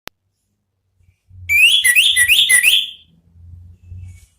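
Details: Orange-headed thrush singing in the ngeplong style, used to provoke other birds into song: four quick, loud, whistled phrases with rising, slurred notes in about a second and a half, then faint low thumps.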